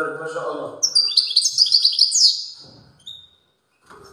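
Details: European goldfinch in strong song, one rapid run of bright twittering notes and buzzes over a low murmur of voices at the start, followed by a thin whistle and quiet.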